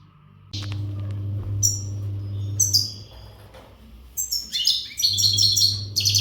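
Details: European goldfinch, untutored Western bird, giving scattered sharp high notes and short buzzy twitters that build into a fast trilling phrase near the end, partly masked by a loud low droning hum.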